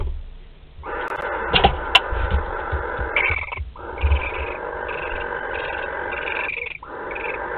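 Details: Barn owl nest in Théding, 31 March 2021, during delivery of a live wood mouse: long, continuous rasping hiss-screeches run almost unbroken for seconds, with short clicks and knocks beneath them.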